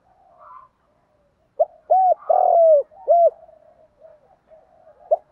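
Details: Lure spotted dove cooing to summon wild doves. After a soft murmur comes one phrase: a short note, a hooked coo, a long falling coo and a closing coo, then faint trailing notes.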